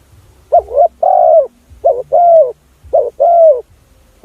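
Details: Spotted dove lure call used to attract other doves: three low, mellow cooing phrases, each a short wavering double note followed by a longer sustained coo, spaced roughly a second apart, with faint low background hum.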